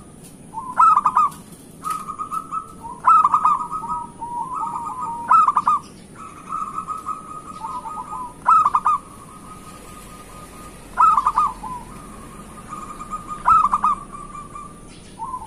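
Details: A lively local Zebra dove (Geopelia striata) song, used as a lure to prompt other doves to sing: soft, fluttering cooing phrases with a staccato start, repeated every couple of seconds.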